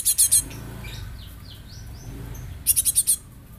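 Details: Lure Java sparrow, a young bird, gives clipped bursts of three and then five piercing high chip notes. Soft background chirps and a low hum fill the gap between bursts.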